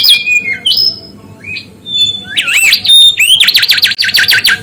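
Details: Mangrove whistler in vigorous song: ringing whistles and downslurs, then a rising looped phrase and a rapid buzzy trill of repeated notes, over a steady low hum.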